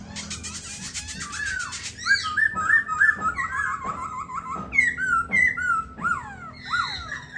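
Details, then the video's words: Silver-eared laughingthrush kept as a caged songbird, gripping the cage while delivering a rapid series of clear whistled notes and swooping slurs, repeated about three times a second after an opening burst of harsh chatter. "Khướu bạc má ôm cóng đẳng cấp"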